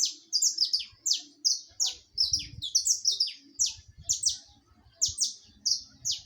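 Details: Saffron finch singing live: a fast, unbroken run of bright, sharp, downslurred chips at a high pitch, several per second in a lively rhythm, with faint low thumps underneath.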